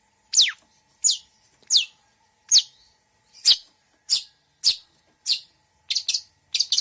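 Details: Long-tailed shrike (cendet) with mixed mimicry: well-spaced sharp downslurred whistles, then a few doubled, buzzier notes at the end.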